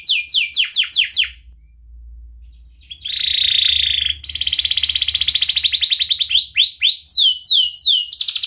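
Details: Canary in long, emotional 'cuit cuit' song meant to coax young birds into learning: quick falling trilled notes, a pause with low hum, then a harsh buzzy stretch and sustained rattling trill, ending in repeated swooping high whistles.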